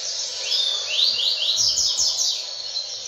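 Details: Double-collared seedeater singing: a quick run of about six high, sweeping upslurred whistles in a row, each rising sharply, over a steady background hiss.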